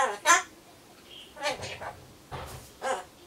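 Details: Indoor pet Solomons corella murmuring to itself before its pumpkin arrives. Three or four short, throaty, speech-like babbles with soft pauses in a small room.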